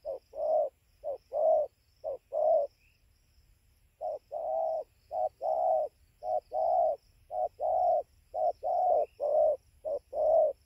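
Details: Wild spotted dove in Gia Lai, Vietnam, at 5:20 am on 24 November 2020 near its roosting tree, described as playing well but very aggressive; low hollow coos in short groups of two or three, repeated steadily with brief pauses.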